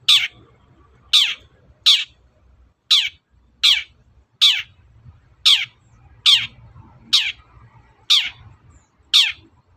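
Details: Long-tailed shrike in the morning, calling to make other birds answer. Eleven harsh, scratchy, down-slurred notes repeat at a steady pace of just under one a second, with soft low background noise.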